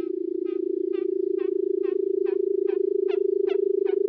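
Barred buttonquail: a steady, low, humming drone runs throughout, overlaid by sharp, bright chirps repeated roughly two or three times a second.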